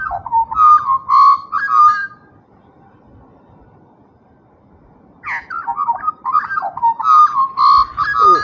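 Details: Friendly pair of Australian magpies, female grey-backed and male white-backed: loud, rich warbled carolling of fluty, wavering notes in two bursts about two seconds long, separated by a few seconds of quiet.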